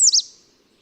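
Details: An American Redstart at Owl's Woods, Braddock Bay WMA, New York, in the breeding season: a very high, thin song fragment, a sharp downslurred note then a quick second note, lasting barely a quarter second.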